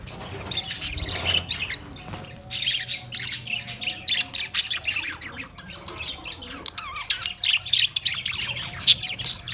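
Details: Australian parrots calling in clipped, loud squawks and high chirps, bursts growing denser and louder in the second half.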